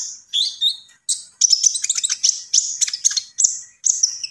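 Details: Common iora singing vigorously: high, thin whistled notes and sliding phrases, then a dense run of sharp chips and trills mixed with bright whistles, with brief pauses between bursts.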